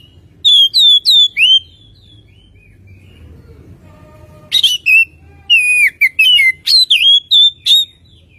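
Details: Oriental magpie-robin song played as a lure to get birds singing quickly: loud clear whistled phrases, some rising and falling, in bursts at the start and again after a quiet gap, over a low background hum.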